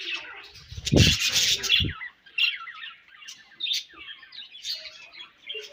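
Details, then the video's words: Pet budgerigars chirping while eating, a busy chatter of short warbled and buzzy notes mostly high in pitch, opening with a loud broadband rustling burst of feeding or wing noise in the first two seconds. "𝑪𝒖𝒕𝒆 𝑩𝒖𝒅𝒈𝒊𝒆𝒔' 𝑪𝒉𝒊𝒓𝒑𝒊𝒏𝒈 𝑺𝒐𝒖𝒏𝒅𝒔 𝑾𝒉𝒊𝒍𝒆 𝑬𝒂𝒕𝒊𝒏𝒈"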